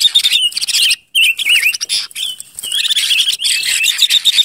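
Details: Leiothrix argentauris, the Ngũ Sắc decoy bird, sings loose warbling, wavering whistled phrases broken by a brief pause, with clicks and rustles throughout and a short high trill at the end.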